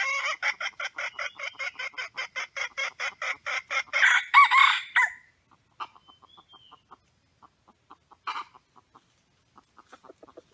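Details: Wild red junglefowl rooster, where roosters crow loudly before fighting and one is trapped: a rapid run of clipped clucks, about five a second, then a loud harsh burst like a short crow, fading into scattered soft clucks.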